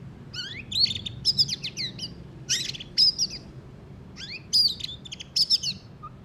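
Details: Having just moulted, a white-rumped shama delivers loud, high, rapid twittering bursts of quick trills and sharp notes, grouped in clusters about a second apart.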